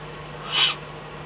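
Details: One loud, harsh hiss from a Eurasian eagle-owl in the Eifel during the small hours of 24 May 2014, when a fox was brought as food; faint hum underneath.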